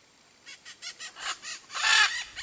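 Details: Blue-and-yellow macaw in the Brazilian Cerrado, a series of short rough croaking notes building in loudness, ending in a long loud harsh screech.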